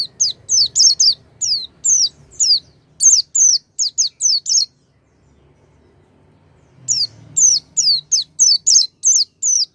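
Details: High, sharp whistled phrases of an Oriental white-eye, used to coax a silent white-eye into song; two bursts of rapid descending notes split by a two-second silence, over faint low rumble.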